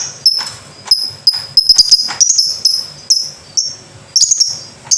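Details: Lovebird in 'ngekek' song, pouring out rapid high-pitched squeaky trills in repeated bursts about every half second to second, with sharp clicks between phrases and a steady piercing tone running through the chatter.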